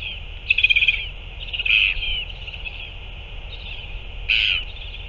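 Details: Northern royal albatross during a feeding on 9 February 2024: a rapid stuttering sequence, then a short grating note, then after a pause a louder harsh burst, all over hiss.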